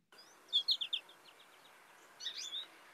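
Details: American goldfinch gives its squeaky "piggy whistle": a quick run of squeaky, high whistled notes, then after a short pause a brief second burst of twittering squeaks.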